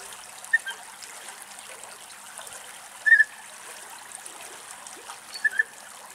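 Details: European bee-eaters in Greece, three birds contesting one nest, give three short, rolling mid-pitched calls about two and a half seconds apart over a steady trickle of water.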